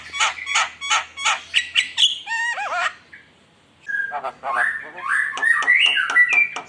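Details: Javan myna (jalak kebo) in full lively song, used as a lure to provoke rivals: loud harsh repeated chattering notes, then a rapid rising-falling warbled phrase, a brief pause, and more mixed squawks and whistled notes.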